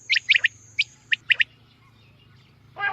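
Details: Calls of a female common quail, used for hunting: crisp high pips in quick pairs and triplets, then a pause and a rough note starting at the end; a thin steady high tone runs through the first part.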